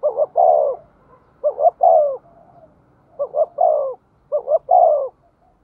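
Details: Spotted dove kept as a decoy to bring in wild birds, cooing in four phrases. Each phrase is a brisk doubled note and then a longer, mellow, falling coo, with short quiet gaps between phrases.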